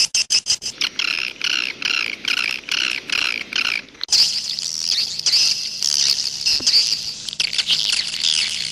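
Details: Edible-nest swiftlet sound in the 'jaguar' style: a run of evenly spaced, harmonic-rich chirps about three per second, then a continuous shrill twittering chatter.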